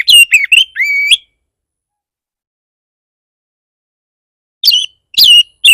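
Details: Oriental magpie-robin song used to rile rival magpie-robins and make them sing. A short burst of varied whistles is followed by several seconds of silence, then a few more sharp, piercing whistled notes.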